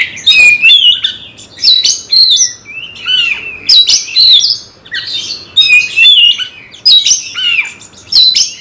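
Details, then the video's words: Fight-provoking song of a magpie-robin aimed at a rival: dense run of bright whistles, rising and falling slurs and scratchy notes, delivered in quick loud bursts with brief gaps. "nembak lawan tarung KACER BRUTALISME"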